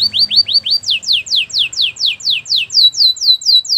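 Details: Song of a Spanish Timbrado canary, a long run of bright descending swooping notes repeated roughly three times a second, shifting to a slightly different note shape near the end.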